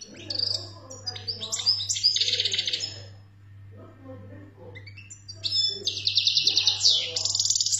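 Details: European goldfinch singing, described as a wild bird, in Algeria: bursts of bright twittering and buzzy trills high in pitch, two loud phrases separated by a quieter pause, over a steady low hum.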